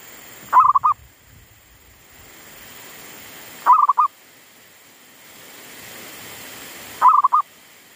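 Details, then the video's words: Zebra dove decoy bird singing again in a garden after wild monkeys disturbed it and it had stopped calling; three short burst phrases of mellow rolling coos, each about half a second, repeated roughly every three seconds with quiet gaps. "Pikat andalan sudah mau manggung lagi di kebun,Sehabis di ganggu MONYET LIAR !!,sempet mogok bunyi"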